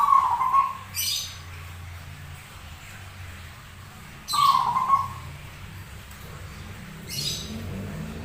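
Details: Zebra dove with an unusual voice that sings often: two short, low, trilled coo phrases about four seconds apart, each followed by a sharp broadband rustling burst, over low background hum.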